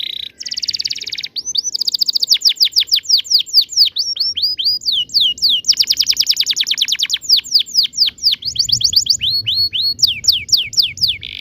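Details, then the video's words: Long ngerol rolling song of a canary in active singing form, played to help young canaries learn: a buzzy opening, then continuous rapid rolls of falling whistled notes changing speed across phrases. "kenari gacor panjang TEMBAKAN NGEROL ini ampuh buat pancingan kenari paud belajar bunyi"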